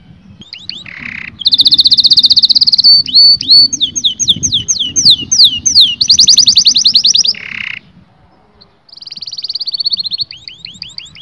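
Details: Singing canary whose song is used to excite both sexes toward mating. It delivers fast repeated trill tours, a run of separate rising notes, then a nasal buzzy tone, a near-silent pause and a fresh high trill.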